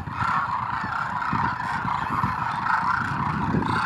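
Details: Demoiselle cranes by the thousands make their migratory landing at a Rajasthan village water hole in Khichan; loud, overlapping nasal honks and rolling calls form a thick, pulsing wall of sound, with low background rumble.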